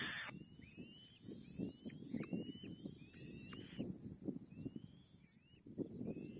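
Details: Kite nestling fed by its mother, calling with a rapid series of thin rising whistles, some bent or hooked at the end, over steady low rustling and knocking noise.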